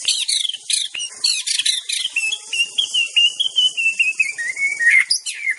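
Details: Aceh white-rumped shama song for training birds opens with rapid scratchy chattering, then flows into a long sweet warbled whistle that wavers and slowly falls before a sharp upswept ending.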